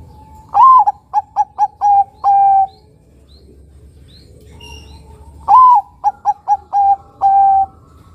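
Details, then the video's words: Bangkok-type zebra dove (perkutut), local crossbreed, vocal singer with a big, long voice, kept to prompt other doves to sing: two phrases about five seconds apart, each a rising coo, four quick clipped notes, then a long level closing note. "Perkutut bangkok gacor suara nutut besar panjang penarik bunyi perkutut bangkok lokal crossing"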